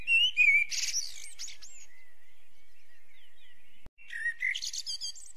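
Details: Eurasian blackbird delivers a fluted phrase ending in a shrill chattering flourish, falls silent for about three seconds, then sings again with a similar whistled opening and squeaky close.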